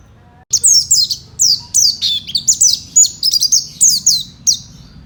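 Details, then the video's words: Fighter Oriental white-eye kept for song, played to prompt other white-eyes to respond; high, sharp chirps and downslurred notes in rapid irregular bursts, with a faint low hum beneath. "kicau burung pleci fighter"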